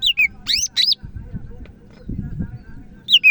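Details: Greater green leafbird from Medan, singing vigorously: loud whistled notes that drop in pitch and sharp upward-sweeping calls open the phrase, and after a quiet gap a falling two-note whistle returns.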